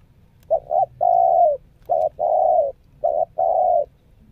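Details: Spotted dove lure bird in training, showing nekan, selang and Meratus nguku coos. After a brief stutter of two notes come a long smooth coo and two more short-long pairs, mellow and low, against quiet surroundings.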